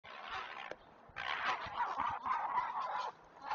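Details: Great blue heron chicks being fed at a Chesapeake nest on a live camera: harsh, dense, raspy clamour in bursts, with a short pause near the start and another near the end.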